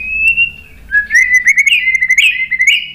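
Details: White-rumped shama giving a continuous, pure whistled song to incite other birds: a sustained level note, then a wavering, gradually rising string of fluid whistles with brief high accents.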